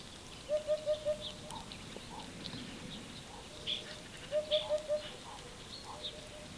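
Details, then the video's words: Eurasian Hoopoe, a rare guest in the Netherlands, calling: two bursts of four soft, low hollow hoots, evenly spaced, about four seconds apart. Faint higher chirps and steady background hiss. "Also at around 21:00 you can hear a Upupa epops calling/singing."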